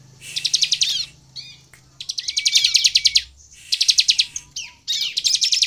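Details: Bar-winged prinia in full, vigorous song used to lure rivals into singing: four bursts of rapid high buzzing pulses, each about a second long, with soft pauses and a faint level whistle between.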